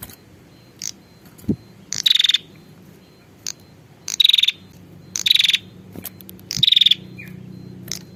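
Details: Female prinia calling for the male. Four buzzy rattling trills come at uneven intervals, mixed with isolated clicks and a faint low hum in the background.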